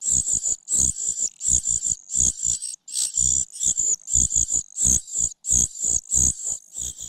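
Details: Common cuckoo chick begging from its foster mother after failing to grab food; steady series of short, shrill, wheezy bursts about every half second, each paired with low thumping or rustling.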